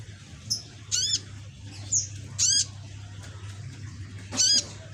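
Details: Green-plumaged young red-backed sunbird kept as a pet, learning to sing: three loud, harsh, rapidly quivering buzzy bursts about every 1.5 seconds, with faint high ticks between them over a low background hum.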